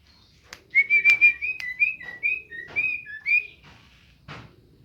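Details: Sooty-headed bulbul in Jember, East Java, Indonesia, giving a short 'isian' burst: a string of clear whistled notes, first level then rising and falling, with a few sharp clicks and knocks in the background.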